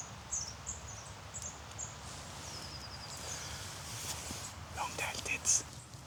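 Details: A busy flock of at least ten Long-tailed tits in a snowy winter forest gives thin, very high lisping notes in quick short runs throughout. A man speaks quietly, with soft outdoor background noise.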